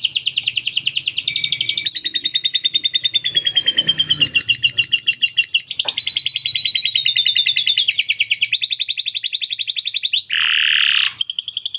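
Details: Canary pouring out a long song filled with lovebird cackles; nearly twelve seconds of unbroken, shrill rolling trills stepping up and down in pitch, with a harsh buzzy burst near the end.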